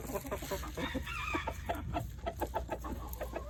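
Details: Rooster being given treats makes rapid, low clucking notes, several per second, with a faint higher squeal early on.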